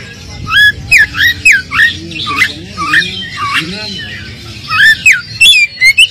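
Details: Oriental magpie-robin song used as a lure to stir an unexcited bird into replying: a run of loud, varied whistled slurs, some dipping and rising, repeated roughly every half second, over a faint low rumble.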